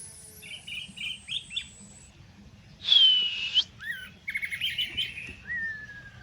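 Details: Caged Orange-headed Thrushes set out together on the ground to sun, young birds trained alongside those already singing, a cat lurking nearby; thin high whistled phrases, a loud buzzy whistle, rapid chattering notes, then a clear descending whistle.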